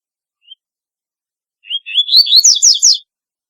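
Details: A brief soft note, a pause, then a double-collared seedeater delivers its distinctive song, a fast rising series of warbled whistles ending in three loud, high, downslurred notes.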